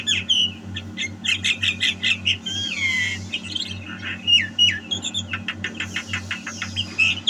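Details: A Javan myna singing actively, recorded in 2022, gives a rapid, varied jumble of squeaky whistles, harsh chatters and bursts of quick clicking notes over a steady low hum.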